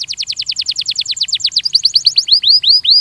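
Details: Belgian canary song played for training: a rapid series of high swept notes that slows and turns into rising upward-curving whistles near the end.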